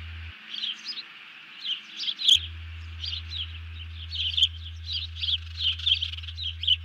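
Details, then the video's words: Alarmed bald eagle calling after seizing a fish while its mate hits the deck, July 31, 2020: quick strings of thin, high chittering notes rising and falling in bursts, low steady hum underneath. "Harriet grabs the fish, alerts and Lucky hits the deck"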